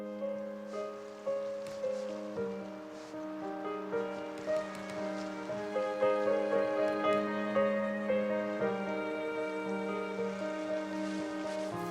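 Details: Soft, slow instrumental music with sustained tones and gentle plucked notes; no animal voices can be heard.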